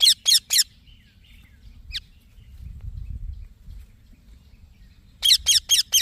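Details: Baby green parrot: three harsh chirps, a long quiet stretch broken by one faint downslurred note, then four more quick raspy chirps at the end.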